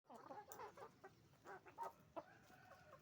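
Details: Roosters and hens on a chicken farm making noise: overlapping short harmonic clucks and squawks, several birds calling at once in quick irregular bursts.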